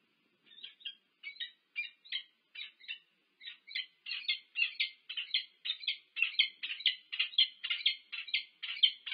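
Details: Wild peregrine falcon pair courting at their nest at UC Berkeley, USA, on 1 March 2023, recorded by a nest camera; harsh, clipped chattering notes repeated about twice a second, building louder and denser toward the end.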